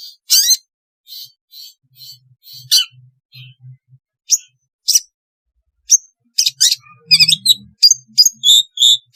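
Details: Long-tailed shrike song recorded for therapy to get lazy shrikes singing: scattered harsh, scratchy chips and sharp high notes in short bursts. Denser rapid chattering comes toward the end, over a faint low hum.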